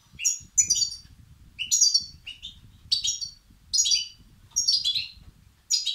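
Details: Begging European goldfinch chicks, a recording meant to excite males: high twittering chirp bursts repeated roughly every second, each a quick jumble of sharp notes, over a low steady rumble in the background.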